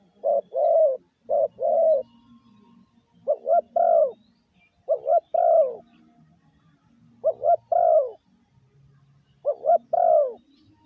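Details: Caged spotted dove used to draw in wild doves, cooing in the 'gáy gù' manner: about five two-part phrases spaced roughly two seconds apart, each a short note and a longer falling coo.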